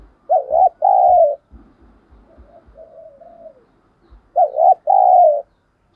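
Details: Decoy spotted dove cooing to lure wild doves quickly, in the thổ voice style: a pair of strong mid-pitched coos, a softer drawn-out murmur with faint taps, then the paired coos again.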